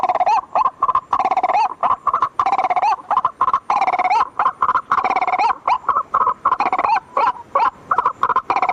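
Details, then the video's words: Nighttime lure recording of white-breasted waterhen: rough, grating croaks tumble over one another in a continuous noisy chorus, broken by short pauses every second or so. "suara pikat ruak ruak langsung ngikut"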